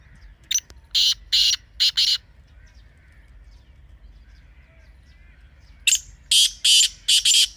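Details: Teetar, a partridge call played to kept birds to strengthen their voice: loud rasping bursts, a sharp note then three to four grating syllables, a long quiet gap with faint background, then a second rapid series of four harsh bursts.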